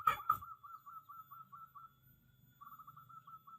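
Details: A local Indonesian zebra dove (perkutut) sings a long, soft rolling coo of rapid quavering notes at one steady pitch, pausing briefly before resuming. Two sharp clicks come at the start. Zebra dove song.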